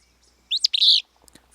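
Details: Willow Flycatcher, a species that breeds in western Washington: one sharp, buzzy, two-part burst of song lasting about half a second, a quick high note sliding into a slurred sneezy phrase, then quiet with faint clicks.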